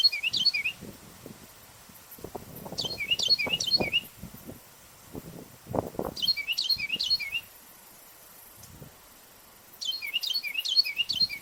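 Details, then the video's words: Carolina wren calling from a treetop along a park hiking trail in Ontario, Canada, hopping between branches: loud, rolling bursts of three or four ringing, slurred notes every three to four seconds, over rustling and thumps; another likely answers farther away. "Carolina Wren Call In A Tree"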